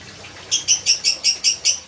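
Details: Yellow canary song phrase: a short series of seven bright, buzzy repeated notes, about four per second, after a brief quiet start.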